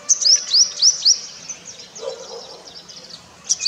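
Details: Purple sunbird singing in courtship: loud, sharp, upslurred high chirps given in quick succession, about four in one second, a brief quieter pause, then another sharp chirp at the close.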